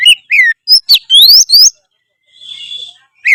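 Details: Energetic 'gacor' singing from an oriental magpie-robin, locally kacer: quick sequence of clear whistles, some rising sharply, others falling, followed by a softer rasping note and a pause before another whistle.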